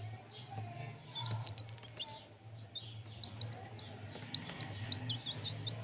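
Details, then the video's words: Chicks peeping: high, short chirps in irregular bursts, faint at first and growing denser toward the end, over a low steady hum. "chicks' sound effect"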